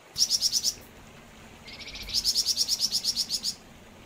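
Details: Flamboyan bird singing energetically: bursts of rapid, evenly spaced high chips repeated about three times a second, a short run, a pause, then a longer run introduced by a lower buzzy note.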